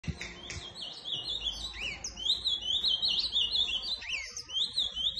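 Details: Ultramarine grosbeak singing a fast, continuous warble of slurred, rising and falling notes at a high pitch, with barely any pause across the whole stretch.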